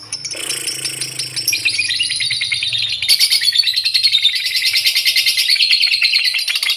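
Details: Lovebird delivering a sustained ngekek song, a long, fast, shrill chatter of rattling high notes that grows louder and more pulsed partway through, with a faint low hum at the start.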